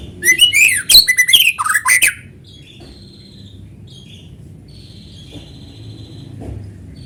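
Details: Natural white-rumped shama song, a lure for prompting other shamas to sing: a two-second burst of loud whistled and scratchy notes, then faint thin whistles over quiet low background hum.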